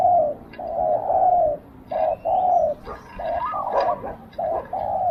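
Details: A decoy spotted dove with a small voice calls to lure wild doves closer: low, steady coos in short and longer phrases, repeated about once a second, with a faint higher note in the background.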